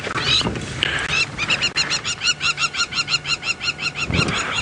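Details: Lapwing agitated by lions near a waterhole on a sunset safari drive, 17 November 2016, possibly with a nest close by: fast, evenly repeated sharp high calls, roughly four per second, with a vehicle rumbling low beneath.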